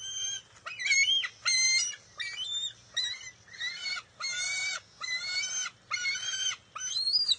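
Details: At the nest in June 2021, a bald eagle eaglet competes with its mother for a fish, giving insistent, strained squeals, some with upward-bending notes, repeated in a quick, uneven series.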